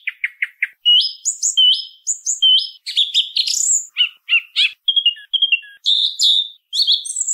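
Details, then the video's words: Song thrush singing a varied, high phrase sequence: a short note struck three times in quick succession, then bright whistled figures each repeated two or three times, with sharp chirps between, and no other sounds. "SONIDO de ZORZAL COMÚN CANTANDO"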